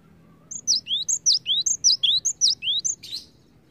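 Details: A cinereous tit gives song intended to stimulate other birds to sing: five or six rapid repeats of a clear high whistled phrase, a sharp note sliding into a lower dipping slur, ending in a brief harsh burst.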